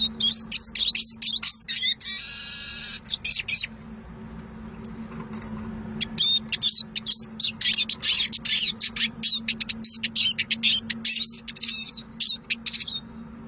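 Eurasian siskin singing a fast, high twittering run with a drawn-out buzzy wheeze, a short pause, then more rapid chattering phrases over a faint low hum.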